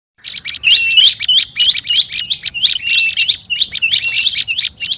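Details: Noisy olive-backed tailorbird lure call: a dense, agitated stream of sharp high chirps and short upward-flicking whistles, about three per second, overlapping one another almost without pause.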